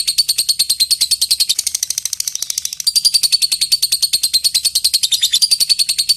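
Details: Long chattering from a lovebird calling an opponent: an unbroken, rapid, machine-like rattle of shrill pulses held for over six seconds with a steady rhythm.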